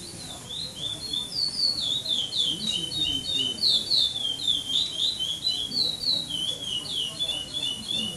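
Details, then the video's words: Chestnut-bellied seed finch (curió), caged, competing at the 2014 Maranhão singing tournament stage in São Domingos do Maranhão, Brazil, with pardo song without repetition, ranked second. A steady stream of bright, high, slurred whistles rises and falls throughout, over faint background murmur. "CURIÓ PARDO"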